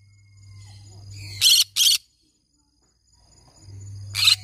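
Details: Green-cheeked conure parrot producing two abrupt, harsh, grating squawks back to back, then another rough squawk after a pause of about two seconds, over a steady low electrical hum.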